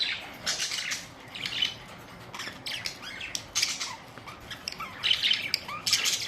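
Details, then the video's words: Budgerigar flock, colourful parrots recorded April 19, 2023, calling with scratchy high squawks and chirps in irregular clusters, a quieter stretch midway, then renewed chattering toward the end. "Budgies beautiful colourful parrots"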